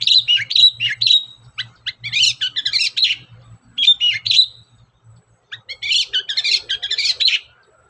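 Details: Long-tailed shrike singing as a lure: busy scratchy chattering and whistled chirps in fast runs, a short gap, then another dense burst, over a steady low hum.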